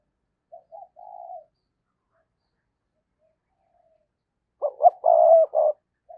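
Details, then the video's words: Spotted dove kept as a lure bird, 2022: a soft, halting coo, then after a pause a loud burst of rapid throbbing pulses forming the urgent pumping call, ending with a short final note. "tiếng cu gáy - Chim Cu Mồi Thúc Và Gáy Gọi"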